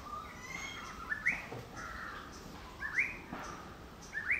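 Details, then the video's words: A Yellow-browed Bulbul in Idukki, Kerala, gives bright, sharply rising whistled notes about every second and a half, over softer chattering from other birds. "Yellow-Browed Bulbul Calling|മഞ്ഞച്ചിന്നന്റെ പാട്ട്"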